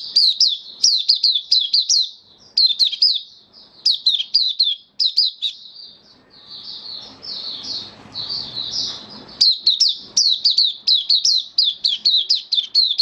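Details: White-eye (mata puteh) in a cage, singing on 18 May 2022 following deworming: long sequences of rapid, piercing chirps with downward slides, broken by a quieter warbling stretch before the fast series resumes.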